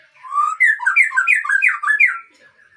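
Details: White-rumped shama (Murai Aceh) breeding stock singing a short rich phrase of warbled, looping whistles, each note bending up and down in quick succession for about two seconds.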